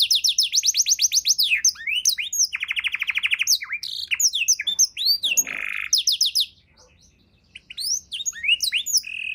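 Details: Canary with luxurious 'isian' song for tutoring other birds: a fast run of repeated high notes, a steady lower trill, rasping buzz, a pause of silence, then more sweeping whistles.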